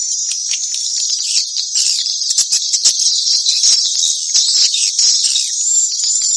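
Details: Continuous high-pitched swallow twittering, many birds overlapping in a shimmering chatter of fast chirps and short squeaky notes without pause.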